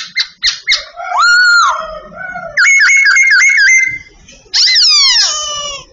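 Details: Babbler in training, singing as it does every day: quick clipped notes, then a long rising-and-falling whistled slur, a run of bright warbled whistles, and a final burst of downward-sweeping harmonic notes.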